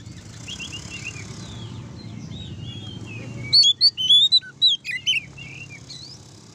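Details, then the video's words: Oriental magpie-robin singing openly to goad other magpie-robins into song: soft warbled phrases at first, then from about three and a half seconds a string of loud, sharp, high whistled notes, over constant low background hum. "suara kacer ngeplong untuk memancing kacer laen emosi dan gacor"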